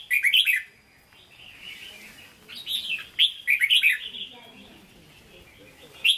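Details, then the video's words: Red-whiskered bulbul, a caged bird for sale, singing Hue-style: loud clustered whistled notes at the start, a quieter stretch, then bright rising and falling phrases, ending with one sharp note. "Chào Mào Chuẩn Giọng Huế Hót Ché"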